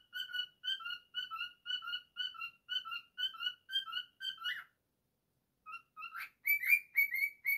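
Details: Pet cockatiel singing its own version of a nursery tune: pairs of clear whistled notes repeated about twice a second, dropping in pitch, then a short pause and higher, rising whistles and a sharp squawk.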